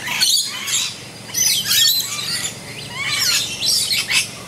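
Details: Rainbow lorikeets feeding on bottlebrush flowers in a back yard, giving harsh, shrill screeches and squawks in short bursts, with some calls sweeping upward.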